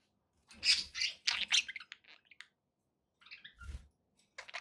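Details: Budgies kept as pets letting out loud, harsh chirps and scratchy squeaks, then softer twittering notes after a pause, with a faint low thump.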